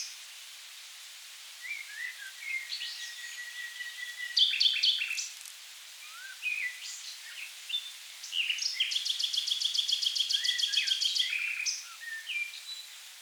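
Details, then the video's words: Common nightingale singing in the river Rhine wetlands of south Germany: varied whistled and chattering phrases with pauses between them, then a long burst of rapid, evenly repeated notes near the end. "Nightingale Birdsong In The Wetlands"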